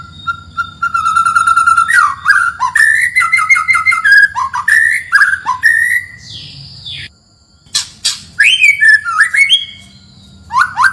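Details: White-rumped shama song from forest, used as a lure: a steady whistled tone, then tumbling chattering phrases and rising whistles, with a brief gap and low background rumble.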